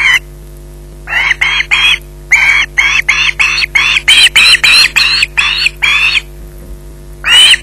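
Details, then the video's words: At the Loch Garten nest an osprey with a fish screeches insistently, about sixteen harsh, shrill yelps in quick succession, briefly louder midway, followed by a gap and one more loud cry at the end. "Bynack screeching in possession"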